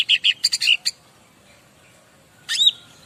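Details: Master song of a bar-winged prinia used to provoke replies from other birds, with a row of bright, high chirped notes, silence, then one upswept buzzy note.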